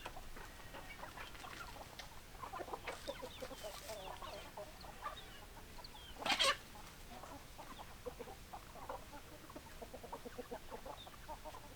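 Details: Hens cluck steadily in a dense overlapping chorus of short notes, broken by one loud harsh burst in the middle, then the soft clucking resumes.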